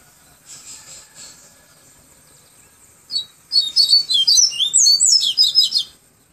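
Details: Yellow-bellied seedeater, in the flute-like 'tui tui viviti' song style, from Salvador, Bahia: a fast run of high whistled and slurred notes, repeated roughly twice a second for about three seconds, after faint buzzy notes earlier.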